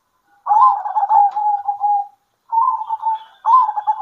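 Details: Local zebra doves calling to each other around midday, a long phrase of trilled coos settling into even held notes, then two shorter phrases after a pause.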